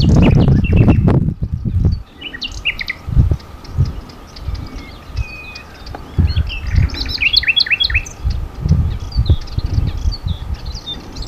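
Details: Common nightingale singing among spring woodland at Sithonia, Greece, 22 April 2018, varied phrases of sliding whistles, chips and quick repeated notes across several seconds, after opening loud low thumps that continue more softly.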